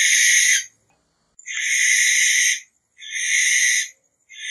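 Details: Barn owl producing raspy hissing screeches about a second long, roughly three in a row with silent pauses, the background otherwise quiet.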